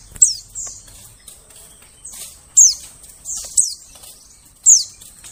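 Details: Lure calls of a white-eye for forest bird catching: sharp, very high chirps sweeping downward, mixed with softer slurred high notes, repeated irregularly about every second.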